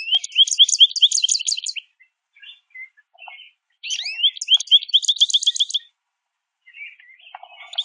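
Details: American goldfinches singing and chirping while eating at backyard feeders; two long bright twittering phrases of quick repeated rising notes, separated by soft scattered chips.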